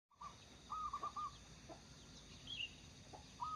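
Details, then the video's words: Local zebra dove singing actively, used as a lure bird, delivers a short burst of rapid, bubbling staccato coos, then a single sharp note. Scattered high chirps from another bird are heard. "burung perkutut lokal gacor"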